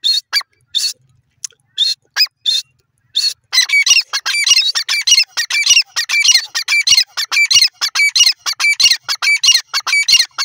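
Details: Francolin (teetar) starting with a few spaced harsh notes, then breaking into a dense, fast run of scratchy, chattering calls that continues almost without pause, sounding like several birds calling together.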